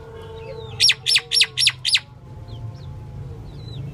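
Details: Five rapid, grating notes from a female common myna packed into about a second, then only soft, faint chirps of other birds in the background.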